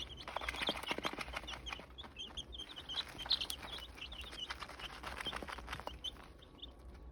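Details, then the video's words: Seven-day-old chicken chicks, nine of them, giving dense rapid high-pitched peeps that overlap throughout, mixed with tapping and pecking clicks and a low background hum. "Sounds of Chicken Chicks"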